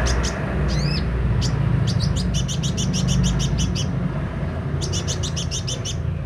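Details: Kolibri ninja sunbird singing with open beak, one rising-falling whistle then fast rattling trills of very high clicky notes in two bursts, steady low hum underneath.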